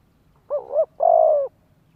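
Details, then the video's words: Spotted dove cooing to lure wild doves and train young birds: a two-part low note with a dip in the middle, then a long steady coo. "Chim cu gáy kích bổi nhanh nổi, luyện giọng chim non, kích mồi cực sung."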